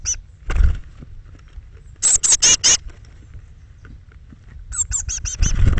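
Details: Eurasian blue tit nest box on 21 May 2017, morning, as thirteen young fledge between 06:00 and 08:00; two quick bursts of four or five high, thin, buzzy notes, with dull low knocks and rustling between.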